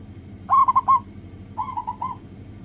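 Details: Zebra dove of the local type, recorded as a lure to make doves sing quickly: two brief rolling coo phrases, the first loud and trilled, the second softer and more drawn out, with a steady low hum behind.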